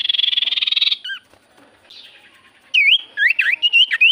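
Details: Javan white-eye lure song meant to make silent birds reply: a steady buzzy trill of about a second, brief wavering notes, a quiet gap, then lively looping whistled phrases jumping up and down.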